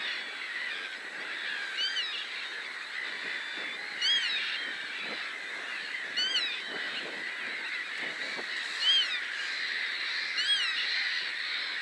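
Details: Black-tailed godwits, a male and a female, calling when another bird flies in during a fight: short, nasal, rising-and-falling calls repeated every two seconds or so over a steady wash of background noise.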